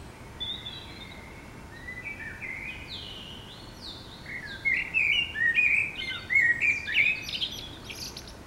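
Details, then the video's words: Common blackbird in a city at morning, singing: soft, fluty, varied phrases building to louder rapid warbled and twittering bursts in the second half, over constant low urban background noise. "Chant d'oiseaux le matin au réveil"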